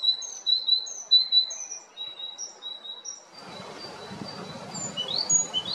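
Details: A male great tit at Jarun, Zagreb, Croatia, recorded in March–May 2022, gives thin, high, clipped notes in quick pairs; steady broadband noise swells in partway through, and a few fainter high notes continue.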